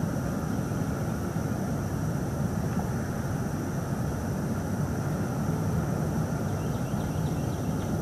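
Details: A steady, dense low rumble like a passing vehicle or aircraft runs throughout, with a faint constant high hum and no animal calls.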